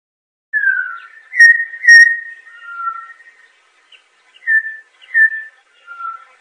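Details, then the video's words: Campo troupial, or corrupião, giving a few clear whistled notes, some slurring downward, others held level, spaced by gaps and fading near the end, on a quiet background. "Canto do Corrupião Icterus jamacaii Campo Troupial"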